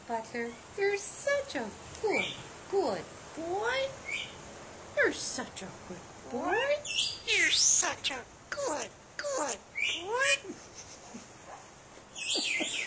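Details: Hand-raised pet myna, talking since its eyes opened, copying its trainer: a long run of squeaky, speech-like phrases with rising and falling glides and shrill whistled notes, spaced by short pauses, indoors.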